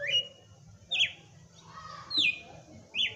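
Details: Red-cowled cardinal kept in a cage in Brazil, singing at Christmas: four clear, sharply descending whistled notes spaced about a second apart, with a faint lower note between them.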